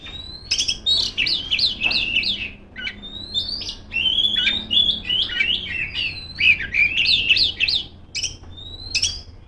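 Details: Loud continuous song from a female Oriental magpie-robin calling rivals: clusters of zigzag whistled notes repeated in quick groups, mixed with upward-sweeping whistles and short sharp clicks across the phrase.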